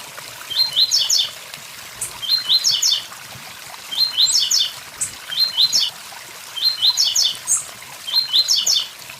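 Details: A blue-black grassquit sings at a waterfall, six short high buzzy bursts of rapid notes, evenly repeated about every one and a half seconds, against continuous falling water.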